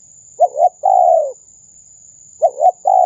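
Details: Lure sound of a spotted dove: two quick low notes followed by a long, level-then-falling coo, the pattern starting again after a pause. A thin, steady high electronic whine runs underneath.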